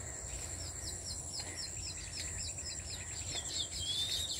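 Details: Weaver birds building grass nests, many in one farmhouse tree, chatter in quick, high chirps, several per second, over a steady high insect drone and low background rumble.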